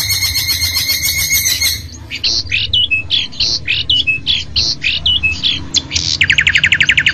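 A long-tailed shrike sings a fast, varied run of scratchy notes and sharp high chirps, ending in a quick, even trill, over a low background hum.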